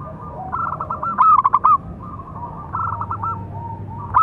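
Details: Big-voiced local zebra dove producing a calling song used to train and lure other doves: soft coo notes lead into a loud phrase of rapid bubbling notes, then a quieter repeat and a final loud note.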